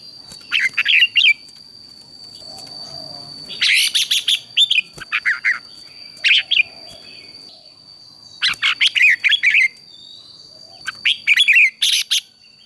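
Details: Red-whiskered bulbul in morning competition singing, a training recording: short bursts of rich, slurred whistled phrases with buzzy edges, separated by pauses of a few seconds, over a constant high electronic-sounding whine and faint insect hiss.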